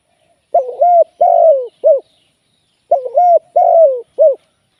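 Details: Live decoy spotted dove used in trapping, repeating its cooing phrase twice: a stuttered opening coo, a long smooth falling note and a brief final coo, each phrase about one and a half seconds, in quiet surroundings.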